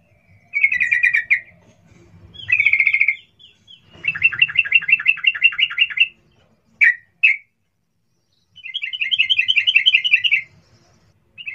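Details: Sooty-headed bulbul in lively 'cuk cuk' call, a sound for luring others to reply: a dense run of rapid rattling chatters, some long and some clipped, nearly continuous over several seconds with short gaps.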